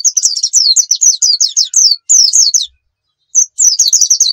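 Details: High, rapid, buzzy chattering phrases from a Pacitan dakun pleci, the Javan white-eye, singing hard as a master recording for training birds, broken by one short pause before the warble resumes.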